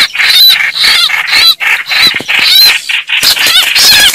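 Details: Fighting red-whiskered bulbuls give loud, rasping squawks and scolding notes in quick bursts about every half second, harsh and noisy.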